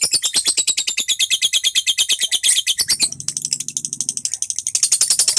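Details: Lovebird singing in fighter style, described as a unique style: a fast, unbroken chatter of sharp, high chirps, about three per second, with a low hum entering in the middle.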